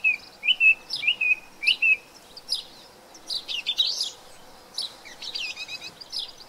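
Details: Thrush, an introduced bird in New Zealand, repeats a clear whistled phrase three times, then switches to rapid scratchy, chattering phrases that are each given twice or more, loud against a quiet background.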